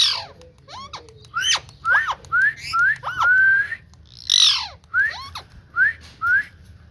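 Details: Green ringneck parrot chattering in a steady string of rising whistled notes, one long level whistle, and two raspy squawks. Quiet background hum.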